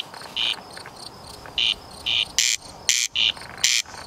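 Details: Corn crake filmed in Bolu, outside its living areas, recorded with a Canon 77D camera. Short harsh rasping bursts repeat roughly every half second, interleaved with narrower buzzy notes, over a quiet background.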